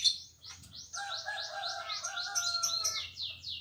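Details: {'caption': 'Green leafbird in full song at a home: a fast run of high downward-sliding notes repeated several times a second over lower steady whistled tones, with a low hum in the background.'}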